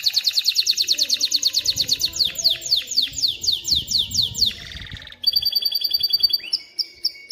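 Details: Canary singing to teach chicks to sing and prepare females for mating: fast trills of rapid high notes, then a series of descending sweeps, a buzzy rattle and bright whistled tours near the end.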